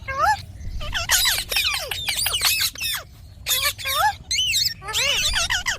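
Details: A series of loud, harsh squawks from a ringneck parrot, each with a sharply bending pitch, delivered in quick groups with short silences between them.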